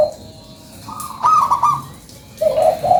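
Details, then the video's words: Local zebra dove lure song opens with a brief low coo, then after a pause a rippling, stuttering higher phrase follows and breaks off, and a short warbling mid-pitched coo ends it. "SUARA PANCINGAN PERKUTUT LOKAL GACORRR"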